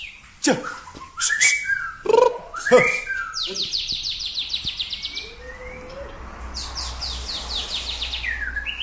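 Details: White-rumped shama being trained at Samadua: loud harsh bursts and clicks, then a quick string of high buzzy repeated notes, a low slurred whistle, and further high trills over soft low hum.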